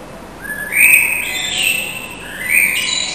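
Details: Resident common blackbird singing a spring greeting at 4:15 am on 21 March 2010 in a city street; two rich fluted phrases, each rising then falling, followed by squeaky high twitters, over a quiet background.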